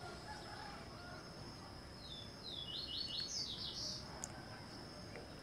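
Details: Yellow-eared woodpecker eating a larva: a brief rapid series of high downslurred chattering notes, growing louder and ending abruptly, with steady background hiss throughout.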